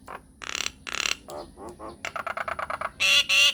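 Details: Brief myna lure recording for eliciting replies from other mynas: two harsh noisy bursts, low gurgling notes, a quick run of clicks, and a final loud buzzy squawk.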